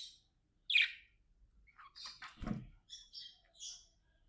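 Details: Companion pet budgerigars playing together indoors, with scattered short chirps and a sharp note near the start, plus a low thump in the middle.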